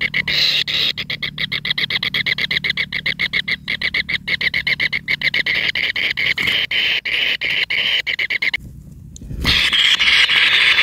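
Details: Kingfisher chick being fed by its mother, who brings large rats one after another; rapid harsh repeated notes, about four per second, steady for eight seconds, then a brief pause and a rustling burst, over a low hum.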